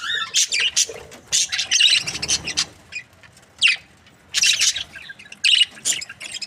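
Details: Happy budgerigars giving short separate bursts of harsh chirps and squawky warbles, with quiet gaps between outbursts from more than one bird.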